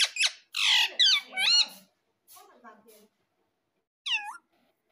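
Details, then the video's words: Ringneck parrot kept as a pet, talking in a small room: loud, high squawky word-like syllables with wavering pitch, a pause, softer chatter, then one more short upward-curving squawk. "cute parrot talking"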